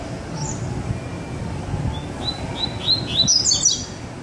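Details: Double-collared seedeater with a second bird around: soft spaced high chips that quicken into a bright, twittering burst near the end, against a low, steady background rumble.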